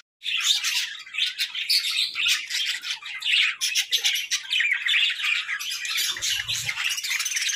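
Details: Several playful pet budgies keep up a busy stream of chirps, clicks and scratchy warbling notes that pulse in short overlapping bursts, with a faint low thump near the end.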